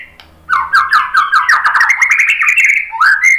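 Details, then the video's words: White-rumped shama warbling rapidly: a quick string of jumbled whistled notes that gradually rises, then ends on a clear sustained whistle. "KICAUAN MURAI BATU bikin BUNYI NYAUT JADI GACOR BONGKAR ISIAN"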